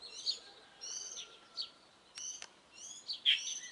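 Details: Mid-April morning birdsong with scattered bright chirps and short buzzy harmonic phrases, a pair of clicky notes in between and a loud sharp note near the end.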